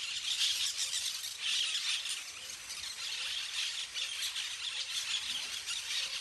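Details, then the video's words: Flock of parakeets playing in the trees, a dense, continuous wash of shrill squealing calls that swells and fades in waves roughly every second. "flock of parakeets playing in the trees / bandada de pericos jugando en los arboles"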